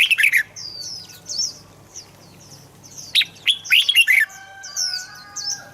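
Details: Red-whiskered bulbul song played to prompt birds to sing: loud slurred whistled phrases at the start and again midway, between bouts of thin high chirping from other birds.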